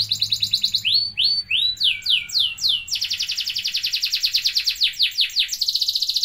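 A canary sings a fast, varied song: a buzzy trill, a few rising slurred whistles, then long rapid rolling trills. A faint low hum sits underneath.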